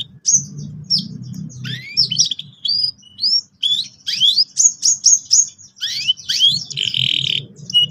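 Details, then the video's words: Canary song meant to get youngsters rolling: a varied run of sharp rising and falling chirps and slurred whistles, ending in a dense buzzy trill, with a faint low rumble underneath. "PANCINGAN BURUNG KENARI GACOR EFISIEN AGAR PAUD CEPAT NGEROL TAJAM & PECAH SUARA"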